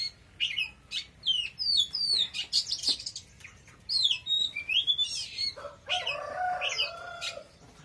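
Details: Oriental magpie-robin singing very powerfully. Quick runs of high whistled and chirped notes give way to a lower, warbled passage near the end.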